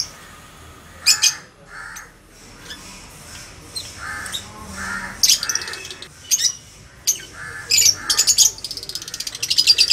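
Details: Two 10-month-old sun conures kept as a pair, screeching in harsh, shrill bursts that come in quick doubles and clusters, growing busier and louder toward the end, with softer mid-pitched murmuring sounds between calls.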